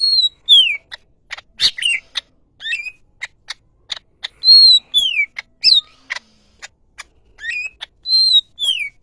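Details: Caged greater green leafbird singing a lively run of clear whistled phrases, slurred notes falling and rising, mixed with sharp high chips and short bursts, repeated in loose groups with brief pauses; no other sounds.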